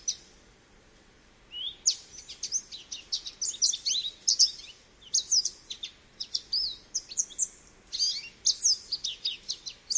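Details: American goldfinch song starting after a brief quiet, then a lively stream of high chips, sharp twitters and sweet slurred whistles in bursts, a short gap near eight seconds, then more twittering.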